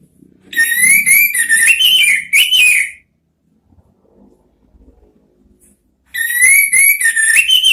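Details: Orange-headed thrush 'ngeriwik' song used as lure therapy for the 'ngeplong' sound: about three seconds of fast warbled whistles with up-and-down slurs, a quiet pause with faint low background noise, then the warbling starts again.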